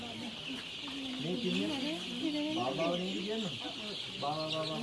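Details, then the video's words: Chicks on a poultry farm in Kurunegala, Sri Lanka: a dense, steady chorus of high peeping runs throughout, over lower, wavering harmonic clucking calls that rise and fall irregularly several times a second. "chicks sound effect"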